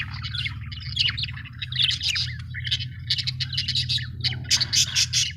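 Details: Happy budgies chirp and warble continuously, mixing squeaky twitters with harsher rasping notes, the chatter rising toward the end, over a persistent low background hum.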